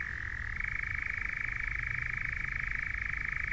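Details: European nightjar (Caprimulgus europaeus) on a Norfolk heath gives its steady, mechanical churring song, a fast dry trill shifting slightly higher in pitch after half a second, over a low background rumble.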